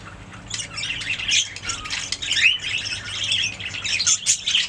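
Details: Budgerigar song: after a quiet start, a busy chatter of scratchy warbles, squawky notes and short rising whistles runs on without break.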